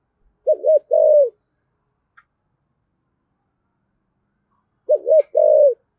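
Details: Spotted dove cooing in the 'giọng thổ' manner: two low phrases several seconds apart, each a fast stuttered double note, then a sustained, gently falling coo. Near silence between phrases.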